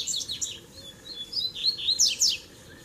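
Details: Double-collared seedeater song in tui tui, zel zel and mateiro styles, used to warm up other birds: a brisk run of thin whistles and sharp downslurred high notes, ending with two loud piercing strokes.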